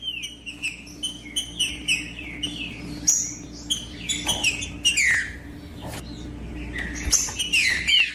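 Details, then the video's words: Green-winged saltator song played to motivate other birds to sing: rapid series of short whistled notes in repeated pairs, then denser chattering phrases, with steady low background hum. "TRINCA FERRO CANTANDO"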